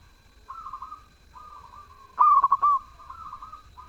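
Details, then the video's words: Zebra dove singing vigorously: several soft, drawn-out cooing phrases, then one loud phrase of rapid stuttered coos closing with a held note, then softer coos again. "Perkutut gacor suara merdu"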